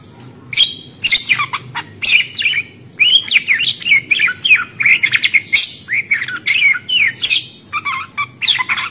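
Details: Lively budgerigar chatter of dense wavering chirps and twittering squeaks, many notes rising and falling quickly, delivered in a nearly unbroken stream.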